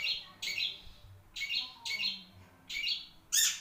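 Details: A long-tailed shrike gives grating, scratchy notes in short bursts, five or so, spaced irregularly about half a second to a second apart.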